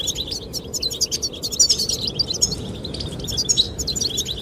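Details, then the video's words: Goldfinches chirping in courtship of a female, a nearly continuous stream of high, quick twitters and buzzy trills, with loud wind noise throughout. "the chirping of goldfinches"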